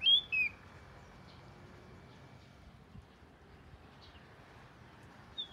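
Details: Oriental magpie-robin, southern type, the first one at the home: two sharp high whistled notes open, the second slurring downward, then a long near-silent stretch with faint background hiss before one brief whistle at the very end.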